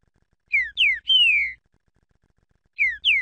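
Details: Green-winged saltator singing loud, clear whistled notes: short falling slurs followed by a longer descending whistle, phrase repeated after a pause, in a quiet setting.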